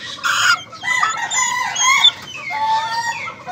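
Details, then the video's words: Young Ayam Ketawa (laughing chicken) crowing: a wavering, harmonic-rich call that rises and dips over about three seconds, broken into uneven laughing segments, with short high chirps in the background. "anak ayam ketawa punya mental juara"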